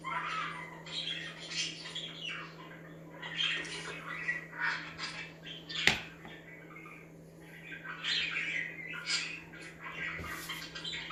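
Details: Several budgies chatter meant to get other budgies active, a dense run of buzzy, squeaky warbled phrases with a sharp click midway and a steady low hum beneath.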